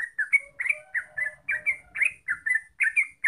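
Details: Lure song of the trucuk or yellow-vented bulbul in rapid 'ropel' style: bubbly, slightly rising chirps delivered in a quick rolling series, with a faint low hum underneath.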